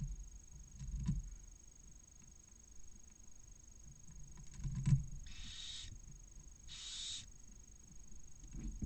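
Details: Barn owls at their nest in Cabañeros National Park, Spain, the male delivering a mouse hours after a chick hatched; a pair of rasping, breathy hisses about a second apart, with dull knocks and scraping before them.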